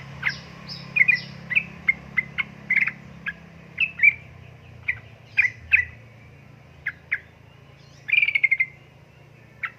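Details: Female sooty-headed bulbul calling to a male: a series of short chirps and whistled notes at uneven intervals, with a quick chattering burst near the end, over low background hum.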